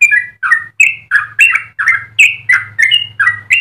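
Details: A yellow-vented bulbul in full rapid song, used as a tutor for other birds. Loud, burbling slurred notes come about three per second, some rising sharply, over a steady low background hum.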